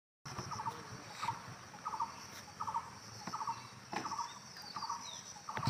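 A bulbul gives short, chattering bursts, each a quick rattle of harsh notes, repeated roughly every second over a soft background hiss.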